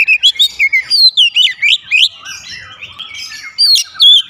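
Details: Oriental magpie-robin (kacer) singing a fast, varied song used to prompt other birds to sing: clear whistled and chirping notes, rising and falling, in quick bursts about three per second with brief gaps, against a quiet background.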